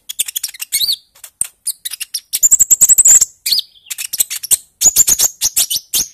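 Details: Bali myna chorus used as a lure to get birds singing, early-stage 'ijoan trotol' style: busy high chirps and clicks with two rapid trilled whistle runs, many voices overlapping.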